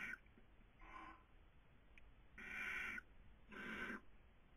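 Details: Barn owl at a nest webcam in Cabañeros National Park, Castilla-La Mancha, Spain, 2020 breeding season: faint harsh hissing bursts, with two louder breathy hisses of about half a second near the end.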